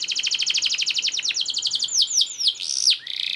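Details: Canary song meant as a master for teaching other canaries: a rapid even trill of repeated notes slowing into several loud swooping whistles, with soft background hiss.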